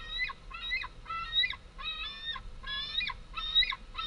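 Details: On 11 August 2014, two large fledged white-tailed eagle young back at the nest scream for food as adult females land with small prey: shrill, harmonic, slightly down-slurred squeals, about six in four seconds, with wingbeats over a faint rumble.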